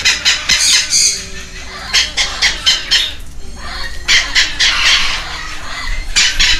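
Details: Baby red-lored amazons, a pair with wing feathers coming in, begging during feeding at a Costa Rican rescue ranch in Heredia Province; rhythmic grating squawks come in clustered runs separated by short breaks.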